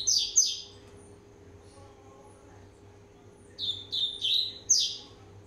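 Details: Warming-up song of a rusty-collared seedeater, one and a half years old: two sharp high notes, a long silence, then a run of falling whistled notes and a bright rising flourish, over low hum.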